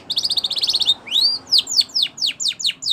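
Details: Spanish Timbrado canary song used to train canaries: a rapid pulsing trill for about a second, then a rising whistle and a series of ringing falling slurs at a regular beat.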